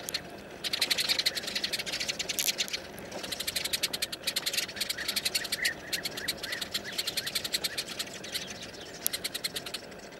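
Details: A flock of sparrows, frightened by a snake crawling toward their hole-nesting colony, gives harsh, rapid, rattling chatter. Many birds call at once in fast bursts of dry, high notes, with a low background rumble.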